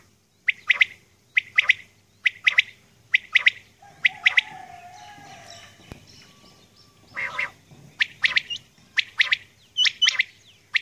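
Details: A female Common Quail calling in the early morning: sharp, high paired notes repeated about once a second, with a brief low droning sound in the middle.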